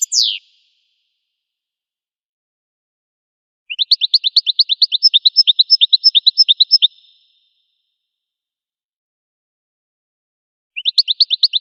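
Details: An American goldfinch gives a falling slurred note, then a pause, then a rhythmic trill of high chirps lasting about three seconds. After another gap, a further trill begins.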